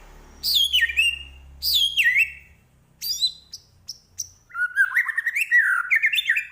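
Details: White-rumped shama singing actively: two loud descending slurred whistle phrases, a few short high chips, then a run of rapid warbled notes rising and falling, clean with almost no background noise.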